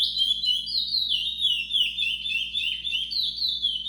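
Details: Brown curió, the chestnut-bellied seed finch, delivering rapid, unbroken high song: clear whistled notes in quick descending slurs and twittering phrases, several per second, over faint room hum.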